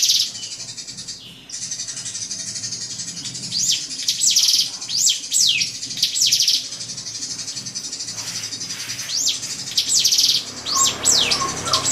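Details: Drongo, song used to stir a rival: after a quiet start, rapid runs of high downward-sweeping chirps in uneven bursts, some with buzzy rasping trills, a few short lower whistles near the end.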